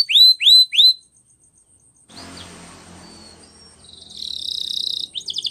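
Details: Canary training song with three loud curved whistles, a pause filled with soft hiss and thin faint whistles, then a buzzy trill and quick notes.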